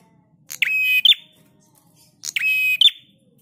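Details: Prinia singing on a master recording meant to train cage birds: two harsh, buzzy phrases, each a rasping trill with a steady tone beneath and a bright rising flick at the end, separated by nearly two seconds of quiet.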